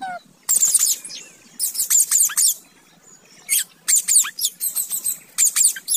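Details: Pet parrot; bursts of high, rapid, squeaky chirps and chatter in clusters of several notes, with short silent gaps between bursts.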